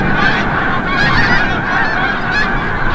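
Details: Snow geese returning from the bay at sunset at Forsythe National Wildlife Refuge, Oceanville, New Jersey; a dense flock gives continuous overlapping honking and yelping calls with a steady wash of sound and no pauses.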